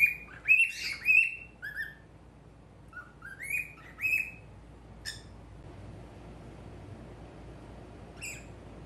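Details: Male normal-colored cockatiel at a mirror gives a flurry of sliding chirped whistles at the start, then sparser single chirps with quiet gaps between, fading to near silence by the end.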